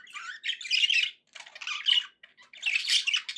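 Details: Cheerful pet budgerigars call in three distinct bursts of harsh, buzzy warbling with thin whistled notes, each roughly a second long with short breaks between.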